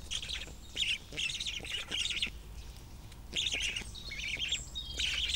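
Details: Black stork young being fed by a parent at the nest in Kamenice, 2021, giving bursts of shrill, rasping begging calls in three or four clusters, separated by short quieter gaps with faint clicks.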